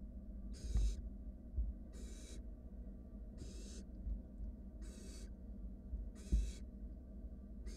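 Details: Begging from wild barn owl nestlings in a monitored nest box while one sibling swallows a rat; evenly spaced breathy hissing screeches roughly every 1.4 seconds, with low background hum and occasional soft thuds.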